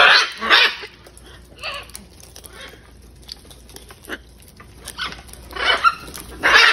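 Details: Hundreds of wild macaws feeding. Loud harsh screeches open and close the passage, with a few quieter rasping calls and a low background hum between them.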